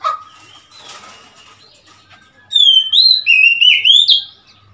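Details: Recorded on 3 March 2021, an Oriental magpie-robin begins after a quiet start with a rush of bright whistled notes, wavering and stepping upward to a high rising final note.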